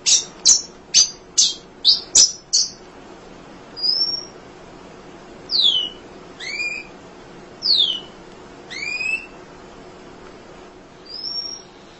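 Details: Munia kept for tutoring songbirds: a quick series of sharp high chirps, then slower, spaced, thin whistled notes that slide downward, some doubled, with quiet between them.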